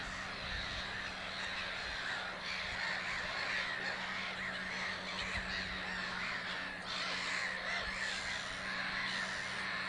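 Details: Black-headed gulls at Lake Hornborga, Hornborgasjön, during nest building, one resting and preening; a constant wash of rasping, crowded calls from many birds, with sharper squawks standing out and a low steady hum.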